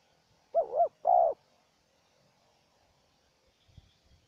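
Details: Single phrase from a spotted dove answering a decoy: a wavering double coo then one longer sustained coo, followed by near silence and a few faint low knocks.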